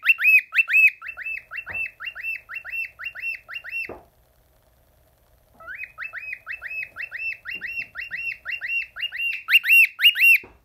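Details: A male cockatiel, confused by his own reflection and dancing, sings rapid, repeated rising whistles, bright and slightly harsh, several each second. Finding: Cockatiel.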